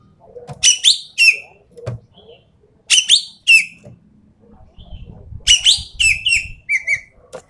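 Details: Sumatran treepie, endemic, in a lure and tutor recording for keepers: repeated pairs of loud, rasping, overtone-rich notes with pauses, ending in a busier run of chatter and short clear notes over low rumbling background noise.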